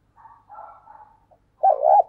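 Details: Decoy spotted dove calling wild doves with thúc and gáy cooing. Soft murmuring coos lead into a short, loud, wavering coo at the end.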